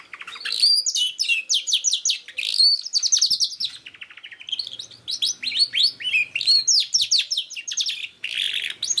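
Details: Canary song used to get an immature canary singing: varied fast trills and clear whistled downslurs, a lower rattling passage, then more rapid repeated high notes, with a faint background hum.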